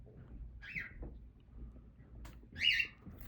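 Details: Baby cockatiel 24 days old, recorded 2/1/25, gives two short, harsh rising chirps about two seconds apart, the second louder and fuller, over a quiet low indoor hum.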